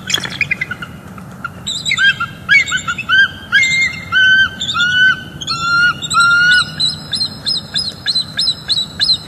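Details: Bald eagles at a northeast Florida nest share vocals while mating on a December morning during incubation: a loud, sustained series of ringing, slightly falling piping notes, about one and a half per second, rich and clear.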